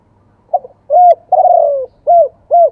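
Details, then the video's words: Close spotted dove singing in wild-type two-kuk style: a faint double lead note, a firm short coo, a long drawn falling coo, then two short hooped coos in quick succession. "ขันสด เสียงป่า 2 กุก"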